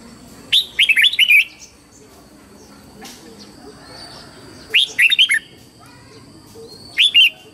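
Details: A red-whiskered bulbul sings in the morning: a rich run of five warbled whistles, a pause, a similar phrase, then a short two-note whistle, with a faint buzzy background call.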